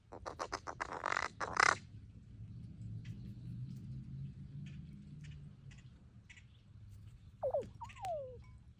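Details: A neighbourhood crow gives a burst of harsh, rapid caws, then two short falling, whining notes after a quiet spell, with low rumbling in the background.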